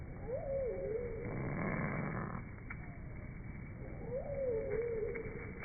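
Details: A Northern Cardinal at a bird feeder during a nor'easter snowstorm "roars" at a sparrow to fend it off, its call slowed down eight times into a deep, wavering roar heard twice a few seconds apart over a low rumble.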